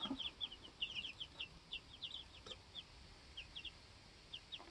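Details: A brood of two-week-old homestead chicks peeps in short high notes, busy at first then spacing out into scattered pairs about once or twice a second.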